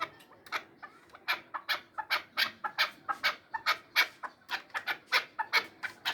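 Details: Chukar partridge from Samarkand giving a rhythmic run of harsh, clucking chuk notes, roughly three per second, each a broad burst with slightly uneven spacing; quiet background.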